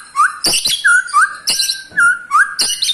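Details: White-rumped shama, eight months old, calling to provoke other shamas: a short rising whistle repeated about every half second, each mixed with a sharp, noisy high burst.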